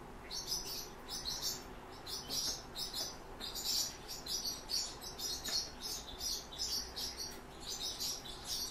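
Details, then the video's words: Song Thrush nestlings begging as their father brings food, a dense chorus of high, hissing, buzzy chirps in rapid overlapping bursts throughout, with a faint low hum beneath. "Певчий дрозд"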